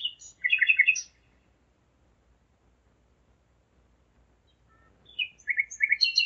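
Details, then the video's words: Nighttime nightingale song recorded at 01:55 on 5 May 2017 in Zeitz, Germany: a rapid phrase of buzzy, stuttered high notes, about four seconds of silence, then another quick chattering phrase of chirps and rattles. "Gesang der Nachtigall - Song of the nightingale"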